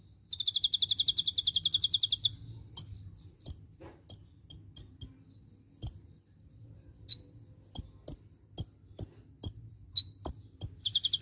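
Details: Konin song for training songbirds, filled with cililin shots: it opens with a two-second fast high trill, followed by a long series of crisp, piercing single chips at irregular intervals, and a new trill starting at the end.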